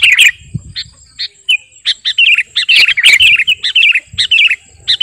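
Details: Energetic kutilang garuda (sooty-headed bulbul) song meant for luring and tutoring birds: brisk series of short clipped warbling notes, about two per second, with a steady faint high-pitched tone running throughout.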